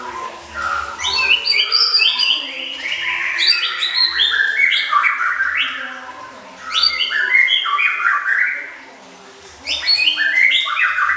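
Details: Oriental magpie-robin delivering a rich filler song for contest tutoring: dense, rapid cascades of descending whistled and chattering notes in long phrases, with one clear pause near the end.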